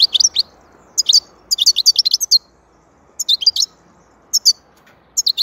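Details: European goldfinch delivering repeated bursts of sharp, liquid twittering chirps, each phrase a few fast high notes, separated by short pauses throughout.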